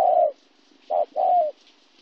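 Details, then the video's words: Kon Tum, Vietnam, 26 January 2016: a local wild-caught spotted dove gives a long low coo, then a short note and a longer coo that slides down at its end. "cu gay"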